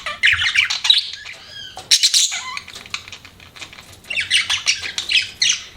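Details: Budgies giving scattered scratchy chirps and squawks, a quieter stretch midway, then renewed chatter; a brief flutter-like rustle is heard.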